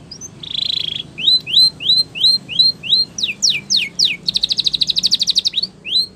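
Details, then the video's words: Spanish Timbrado canary in a training song, a buzzy burst, repeated upslurred whistles, several falling sweeps, then a long rapid metallic trill and more rising notes. "The Best Spanish Timbrado Song For Training Your canary !! Make Your Canary Singing Again"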